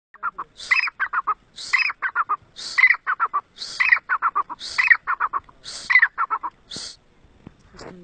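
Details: Black francolin (kala teeter) from Mianwali calling: a harsh, grating multi-note phrase of a high rasp then three or four clipped chirps, repeated roughly every second, seven phrases in quick succession, then fading to quiet.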